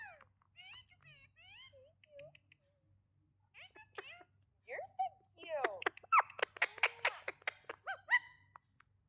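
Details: Pet parrot talking indoors: a rapid run of squeaky, sliding syllables and chattering notes, sparse at first, then becoming dense, louder and more clipped toward the end, over a faint low hum.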